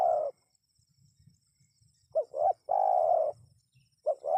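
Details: Repeated spotted dove call used to attract responding wild birds. A long croon ends, then a clear pair of short rising coos and another long level croon, with a further coo pair at the end. Soft low rumbling throughout.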